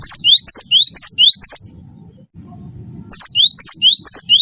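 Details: A persistently singing cinereous tit (gelatik batu) of the wingko type, used to prompt other birds: clear, bright two-note whistles repeated about twice a second in two runs, with a pause of over a second between them.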